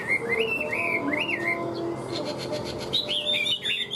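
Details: A caged Hwamei, described as a strong singer and fighter, gives clear swooping whistled slurs that rise and fall, followed by higher, quicker twisting phrases.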